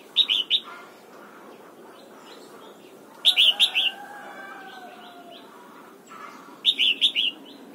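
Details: Red-whiskered bulbul giving morning song while being trained for the old-forest double-note style: three loud, quick warbled phrases of rolling doubled notes spaced about three seconds apart, softer chirping birds behind.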